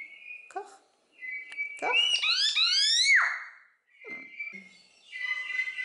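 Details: Common hill myna, talkative imitator observed at a bird garden in Upie, Drôme, France, gives a steady whistle, then a loud run of rising and falling whistled notes ending in a strong downward sweep, with a person speaking nearby.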